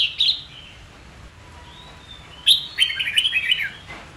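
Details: Red-whiskered bulbul song used to train young birds and provoke fighting song: two bursts of bright warbled notes, a short phrase then a longer chattering run of rising and falling whistles near the end.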